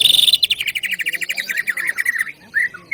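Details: Greater green leafbird (cucak ijo) in full song: a high buzzy opening then a fast run of repeated chattering notes for about two seconds, ending with short slurred whistles.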